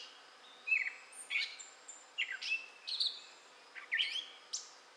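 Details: Gray catbird song from southwest Michigan, May 2011: spaced scratchy phrases and sharp downslurred squeaks, with a few thin high whistles between bursts, over a quiet hiss.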